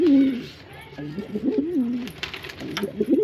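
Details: Male pigeon cooing: a strong opening coo, then rolling, undulating phrases with short gaps, and a few sharp clicks or taps late in the sequence.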